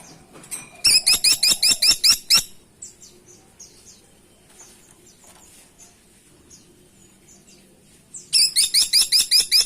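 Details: Grey-and-buff Woodpecker calling in two bursts: about eight sharp, harsh notes with rising hooks, quickly repeated, then a quiet stretch with faint distant chirps before a second burst of seven notes.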